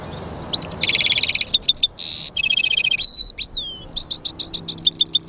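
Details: European goldfinch and canary hybrid, a mule, kept in a cage, delivering a varied twittering song: quick high chips, buzzy rattles, a drawn whistled note, then a fast run of repeated slurred tweets.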